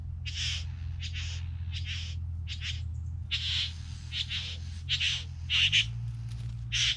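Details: Three bowerbirds utter a long series of rough, wheezy rasps, roughly one every half second to second, growing louder toward the close, with a droning low hum throughout.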